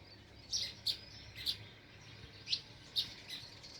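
A sparrow gives short, high chirps about six times, spaced unevenly every half second to a second, over a faint low hum.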